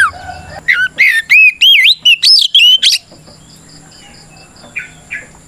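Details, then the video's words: Fighting song of an oriental magpie-robin, used as a lure so other kacer answer; a quick run of loud looping whistles lasting about three seconds, then near silence with two faint distant chirps. "Suara Burung kacer gacor NGEPLONG tarung ini paling ampuh buat PANCINGAN KACER agar EMOSI Nyaut"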